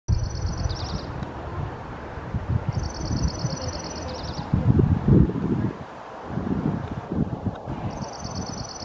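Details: Dark-eyed junco perched on a lantern, singing a dry, even, high trill lasting about a second and a half, given three times, over a steady low rumble of wind or traffic.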